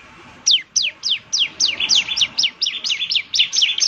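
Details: Bar-winged prinia (ciblek) lure song: a steady run of about a dozen high, sharply descending chirps, about three per second, over faint background hiss.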